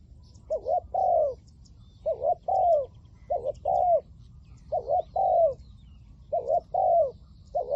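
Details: Spotted dove decoy calling during wild dove trapping, repeating a two-part coo about every one and a half seconds: a short hiccuping note then a longer falling coo, six phrases in steady rhythm.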